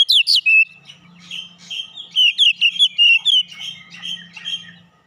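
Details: Young Oriental magpie-robin with fighter character in continuous song: rapid chattering whistles and chips, varied and warbling, with a faint low hum beneath.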